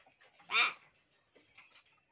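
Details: Hill myna mimicking human speech: a single loud, brief, nasal word-like utterance about half a second long. Quiet room noise follows, and a person prompts the bird in Hindi around it.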